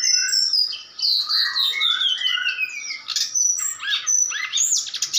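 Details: Bali-type Brown-chested jungle flycatcher starting to answer a mountain flycatcher recording during training: long, gliding high whistles falling in pitch, then a burst of sharp chattering and twittering notes mixed with loud rising slurs.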